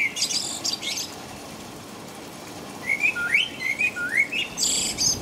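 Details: Night-time song of a common blackbird in rain, England, around 5 a.m. High scratchy twitters come first, then a run of short rich whistles that step up and down, closing with squeaky high notes. Rain hiss throughout.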